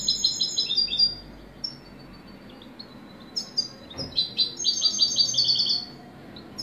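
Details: Goldfinch song in two bursts: bright, tinkling trills at the start, a quiet gap, then a faster, denser run of high twittering notes.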